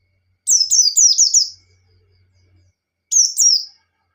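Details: Provoking ngalas song of a white-eye: a fast run of five rapid high descending whistled slurs, then a faint low hum, followed by another short paired phrase.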